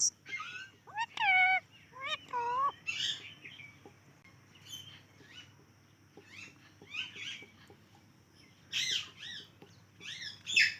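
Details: A parrot playing with guava opens with several rapid, harmonic, speech-like arched notes, then gives scattered harsh, raspy squawks and short chatters over quiet pauses.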